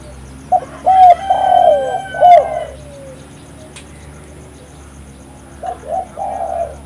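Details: Lure call of the spotted dove, or tekukur: a phrase of short coos into a long wavering coo with a falling tail, then after a silence another soft phrase of two coos and a drawn coo; faint chirps overhead.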